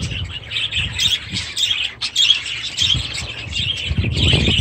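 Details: Budgerigars in outdoor aviaries with new chicks, a continuous dense warbling chatter of many birds with high chirps layered together, low rumbling and knocking noises beneath.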